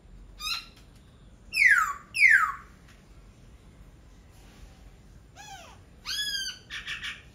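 Laughingthrush song: loud, sweeping whistled notes falling steeply, in pairs, then a burst of rich, arching, harmonic phrases near the end.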